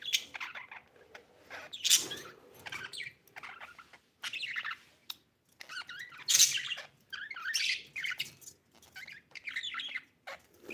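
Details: Pet budgerigar chirping in scattered bursts: scratchy chattering notes and a few sharp high chirps, separated by short silences.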